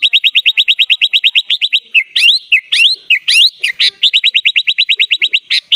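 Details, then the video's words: 'Gacor full isian' singing of a sooty-headed bulbul. It opens with a rapid, even string of sharp chipping notes, then shifts into louder, swooping whistled notes before the fast chips resume. "SUARA BURUNG KUTILANG GACOR FULL ISIAN"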